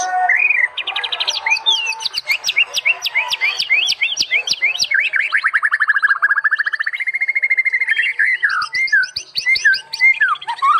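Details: White-rumped shama song for training: a long, nonstop stream of rapid repeated notes and buzzy trills, descending slowly through the middle, then broken into varied slurred whistles.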